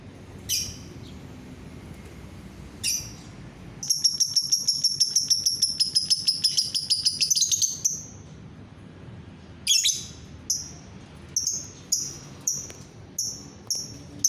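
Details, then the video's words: Lovebird making isolated sharp chirps, then a long rapid ticking trill of high notes lasting about four seconds, followed by a string of quick piercing chips. Played to get other lovebirds singing. "bikin lovebird yang lain ikut bunyi"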